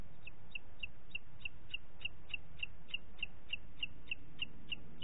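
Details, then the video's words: Booted eagle in Parc Natural dels Ports, recorded 27 June 2021 at 09:06 in the morning: a steady run of about seventeen short, high, clipped notes, roughly three per second, over a low rumbling background. "Àguila Calçada"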